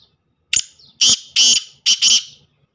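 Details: Black francolin calling: after a brief thin note, harsh, grating bursts sound in a quick broken series, two close pairs with one burst between, all within about two seconds, then quiet.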